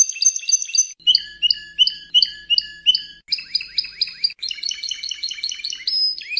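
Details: Spanish Timbrado canary song used as training audio for canaries: rapid, bell-like trilled tours of high repeated notes, each phrase held about a second before switching to a new, lower or buzzier rolling series.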